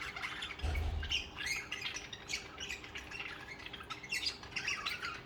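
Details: Budgerigars, social pet birds, keeping up busy scratchy warbling and chirping throughout, with a low thump near the start and a steady background hum.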